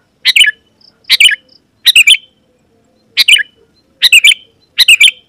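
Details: Rival-calling song of a Sooty-headed bulbul: crisp bubbly phrases of two or three notes, coming in irregular pairs and singles under a second apart, against a quiet background.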